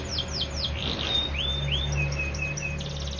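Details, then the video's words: AF canary in bottle-green plumage, not yet sunned: a few loud downward-swooping whistles, a buzzy burst, then rising-falling slurred notes and evenly repeated short flat chips ending in a fast trill, with steady hum behind. "Af ijo botol durasi 45 detik blm kena jemur"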